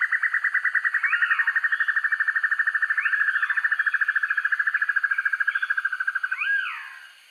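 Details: Banded broadbill, recorded as training master for birds: a long, fast, even pulsed trill that slowly drops in pitch, overlaid by scattered slurred whistles, ending in a loud arched note.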